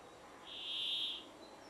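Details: A singing Brambling (Fringilla montifringilla) in mountains near Geilo, Norway gives a single drawn-out, nasal, buzzy wheeze, steady and fairly high, under a second long, against a quiet background.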